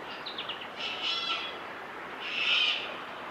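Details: Grey shrike-thrush song in Victoria, Australia, November 2022: a quick run of falling notes, then two loud, rich whistled phrases about a second apart, over a steady hiss of background noise.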